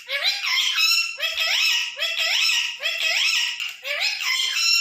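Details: Pet Indian ringneck parakeet, green parrot, vocalizing indoors: five loud, harsh, rising harmonic calls, each about a second long, repeated in a steady series with short gaps between them.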